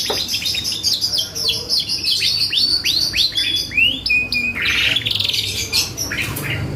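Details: Canary singing hard, played to trigger responses from other birds: quick ticking notes give way to a series of looping downward-swooping whistles, then a bright level whistle and a harsh buzzy burst near the end.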